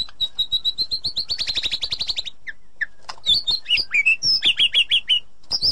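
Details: Edited white-rumped shama song meant to coax a stalled pet shama back into song: a rapid, steady series of sharp high chips that speeds into a trill, then varied loud whistled phrases, rising and falling.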